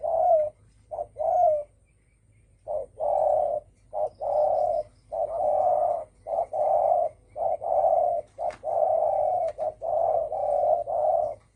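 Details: Spotted dove in thổ sấm style, calling to provoke other birds. It gives a long run of paired coos, short then long, with deep mellow tones repeated steadily after an early pause. There is little background.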